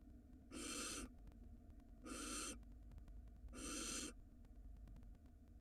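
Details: Barn owl nest in Israel during the 2022 breeding season, live camera, male arriving with a mouse: three long rasping hisses roughly every one and a half seconds, separated by quiet hum-filled gaps.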